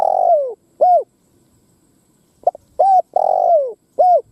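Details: Lure cooing of a spotted dove meant to draw wild doves to fight: long falling coos alternating with short arched notes, a pause, then soft quick notes leading into the phrase again.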